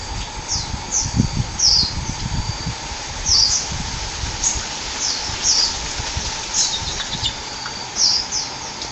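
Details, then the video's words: Sunbird in its native forest uttering a series of very high, short, downward-sweeping chirps spaced roughly a second apart, some doubled, over a steady low hum and faint rustles. "KICAUAN BURUNG KOLIBRI ASLI DARI HUTAN"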